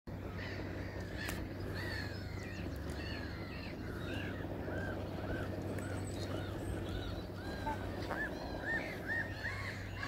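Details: Greylag geese with goslings at the Wildfowl and Wetlands Trust, Arundel: a steady series of short, arched, piping calls, some in quick pairs, repeated throughout over a constant low hum and general background noise.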